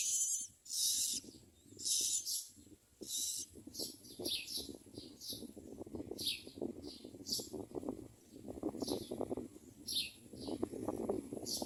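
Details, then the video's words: Begging common myna chicks fed by their parents give short, noisy, high-pitched hissy bursts in irregular runs, over a busy bed of low clicking and rustling sounds. "Common myna Birds bring food and the children are ready to eat."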